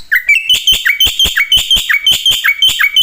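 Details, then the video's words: Black-winged myna singing a full, imitation-filled song used to tutor and stir other birds; loud clicking beats alternate with short bright whistles and dropping notes, about three per second. "jalak putih gacor full isian sangat efektif untuk masteran dan pancingan semua burung"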